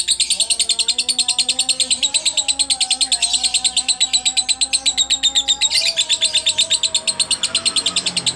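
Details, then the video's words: Long ngekek chattering from a much-awarded lovebird, head swaying, biting cage bars: rapid shrill pulses run nonstop for eight seconds, briefly roughening near the six-second mark, with a steady low droning tone underneath. "Love Bird Ngekek Gaya Oleng"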